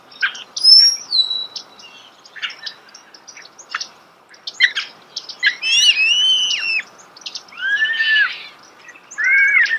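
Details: Starling singing close by: scattered dry clicks give way to looping slurred whistles and warbled, rising and falling phrases.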